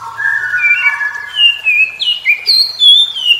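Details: Oriental magpie-robin answering other magpie-robins in the morning. Its song runs as a stepped series of pure whistled notes, starting lower and climbing higher, each note held briefly before a sharp jump.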